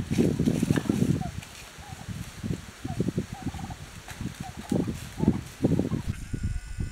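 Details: Wild turkey family in autumn winds in Coronado National Forest: short, faint mid-pitched tonal call notes scattered among heavy low gusts of wind and rustling, with a sudden shift in background noise near the end.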